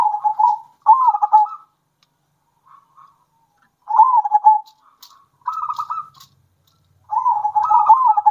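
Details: Zebra dove song, local and farm-bred birds alternating, used to provoke other doves into singing: soft rolling trilled coos near one pitch in phrases about a second long, dipping at the end, with gaps between phrases.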